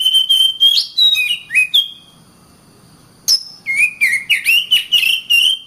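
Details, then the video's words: Oriental magpie-robin song: a run of rich whistles and slurred notes, a pause, then a fast series of repeated chirped whistles. "Kacer Bird Singing"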